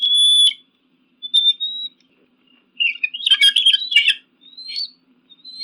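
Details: Eagle calls offered to scare off pigeons and crows: a clear high whistle, then a thin rising whistle, a burst of rapid high chattering notes, and a few short upslurred whistles, with silence between.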